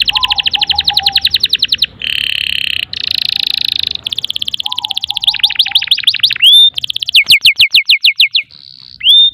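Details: Canary singing at length to coax young or silent canaries: varied tours of fast high trills, dense buzzy rolls, a low warbled run, sharp whistled upsweeps and rapid rhythmic chips, switching every second or two.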